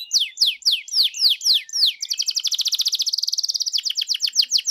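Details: Canary luring song meant to make a canary sing back: several loud downslurred whistles, then a very rapid even rattle and a few faster sweeps.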